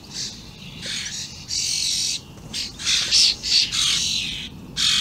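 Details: Very vocal juvenile and adult common starlings on 28 May 2016, with dense harsh rasps, some long and sustained, others quick and choppy, following in close succession.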